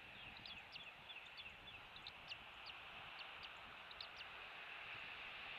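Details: Eagle at a rebuilt nest on Captiva Island, Florida, filmed by nest camera at 07:45 on 16 January 2023, days after a chick hatched; rapid, uneven high chitters and piping notes over steady background hiss.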